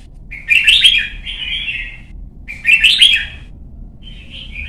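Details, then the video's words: Young red-whiskered bulbul being trained to sing, kept as a cage bird in Vietnam; two bright warbled phrases of rich whistles around a second long, separated by a pause, ending with a softer fading note. "CHÀO MÀO | Luyện giọng má trắng chim non - Thúc chim hót hay hót đấu"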